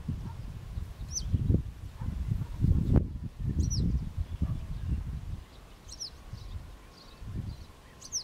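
Western yellow wagtail giving thin, high, down-slurred 'tsweep' calls about every two seconds, over steady low wind rumble.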